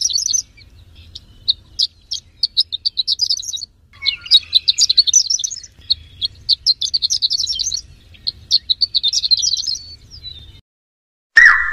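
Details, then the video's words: A Horsfield's bush lark, a third-place contest winner, sings fast, high, twittering runs of chirps and trills in long bursts with short pauses, ending with a brief louder note. "SUARA BURUNG BRANJANGAN JUARA 3"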